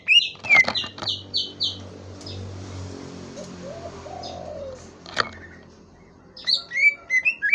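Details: Greater green leafbird singing: a rapid run of short buzzy notes near the start, a long quieter stretch with soft lower whistles over a low hum, then sharp chirps and twitters at the end.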